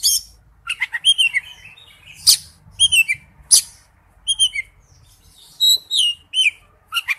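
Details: Oriental magpie-robin singing for use as a lure: separated bright whistled notes and slurred phrases with a few harsh, scratchy bursts, spaced by short gaps over a faint low background rumble.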